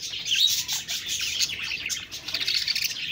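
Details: Short burst of budgerigar chatter: sharp whistled squeaks over a crowded bed of fast, scratchy chirps.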